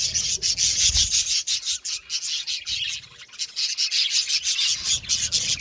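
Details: Group of budgies chirping in a rasping, scratchy stream of quick high notes, pulsing several times a second with a brief dip near the middle, then loud again; light low thuds at the start.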